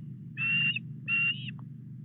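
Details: Osprey at Llyn Clywedog in Wales, fish brought to the nest on an August morning; two flat, sustained whistled calls, the second ending with a slight upward inflection, over low constant rumble.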